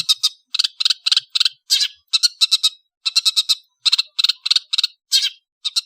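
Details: Afternoon song of an Indonesian long-tailed bird: rapid rattling clusters of dry, clicking chatter notes, grouped in twos to fives and repeated steadily with brief gaps.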